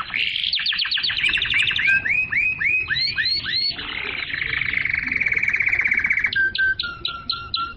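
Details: Canary song for stimulating hens to mate and tutoring chicks: rapid trill, arched whistled notes, a long smooth rolling tour, then clipped notes over a lower steady tone.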